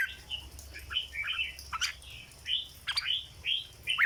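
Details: Caged red-whiskered bulbul in 'rong dok', the legendary flower song style: separate whistled phrases, each a rising then falling slur, given about every half second.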